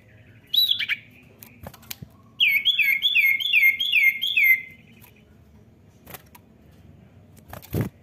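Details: Common iora calling to encourage a young bird to sing: a quick rising-falling note, then a series of six slurred, descending chirps given in quick succession, with a few faint ticks afterward.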